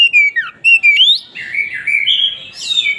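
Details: Oriental magpie-robin singing energetically with its tail open: rich, fluty whistles that rise and fall, with quick chirps and a long wavering warble.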